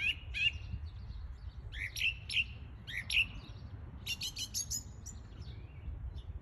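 Song thrush singing loud, clear phrases, each repeated two or three times, with rising whistled notes and a run of sharp high ticks over a low background rumble.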